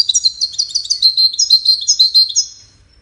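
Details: Goldfinch song of cascading musical notes, sung in courtship and communication, here as one continuous, fast, high-pitched twittering phrase of about two and a half seconds with a clear ending.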